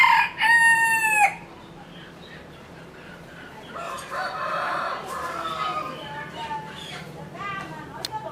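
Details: Chicken opening with a brief, loud, harmonic crow, followed by quieter clucking and murmuring calls with background farmyard noise and a few sharp clicks.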